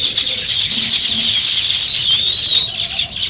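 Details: Short burst of morning sparrow chirping near nest-building weaver birds, a thick, continuous high twitter with a few sliding squeaky notes.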